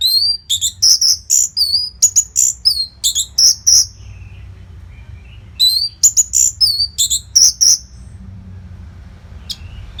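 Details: Continuous masteran song of an orange-headed thrush for training fighter birds: two long, lively phrases of fast alternating whistled and chirped notes, about three and a half notes per second, with a short break between.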